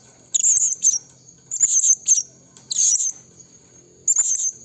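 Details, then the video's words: Lure recording of a blue-crowned hanging parrot summoning forest rivals: sharp, piercing high notes in uneven short phrases, some doubled, repeated several times across a few seconds above a constant thin background tone. "BURUNG SERINDIT BUNYI MEMANGGIL LAWAN HUTAN suara serindit PIKAT"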